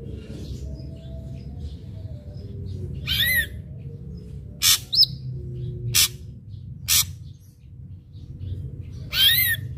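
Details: Ashy drongo in captivity, its song used as a lure so untrained captive drongos start singing quickly: scattered harsh broadband bursts and a few whistled, wavering notes separated by pauses, over a steady low hum.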